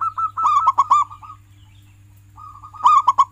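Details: Local zebra dove, a keen singer whose song is played to make pet doves sing: a rapid run of bubbly, rolling coo notes, a silent pause, then another quick burst of mellow notes. A low hum sits beneath.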